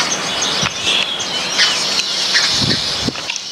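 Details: Baya weavers eating grains together in a backyard in India: high buzzy chattering with squeaky chirps, broken by a few soft thumps and flutters.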